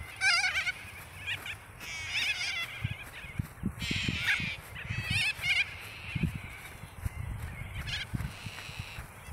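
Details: Several white cockatoos calling: grating, buzzy squawks in quick clusters, some overlapping, with a longer hoarse screech midway, above steady low rumbling noise.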